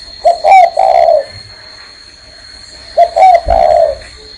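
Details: Spotted dove cooing while sitting on a hand: two low three-part coo phrases, a brief note, a higher one, then a longer falling note, about three seconds apart over a constant high-pitched whine.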